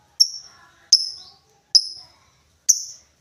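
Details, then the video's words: Lovebird calling with four loud, piercing, high chirps, each a sharp onset with a short fading tail, spaced roughly 0.8 seconds apart, in a quiet setting. "LOVEBIRD NGETIK NGOEK LANJUT NGEKEK"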